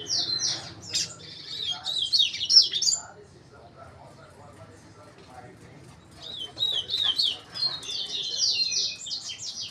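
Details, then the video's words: Double-collared seedeater in song: a rapid run of sharp high warbled notes for three seconds, a quiet gap, then another series of zigzag whistled phrases from about six seconds on. "#canto #passaros #coleiro"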